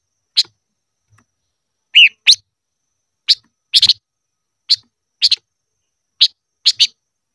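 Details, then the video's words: Silver-eared mesia in 'ché' style training song, giving single and paired high sharp chirps spaced about a second apart, one slightly lower slurred note among them. "Chim ngũ sắc hót hay luyện giọng - ngũ sắc hót ché / tsheeb quaj"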